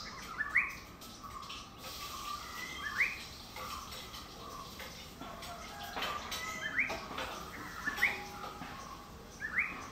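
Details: Yellow-browed bulbul calling in Idukki, Kerala: short, sharp upslurred whistled notes given singly every two to three seconds, over a steady hiss of background noise.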